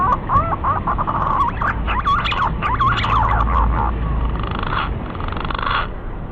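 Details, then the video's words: Lure call of a green pigeon used to bring birds in for hunting: wandering, looping whistled notes over steady low background rumble, ending in a level whistled tone. "SUARA BURUNG PUNAI PIKAT PALING JITU"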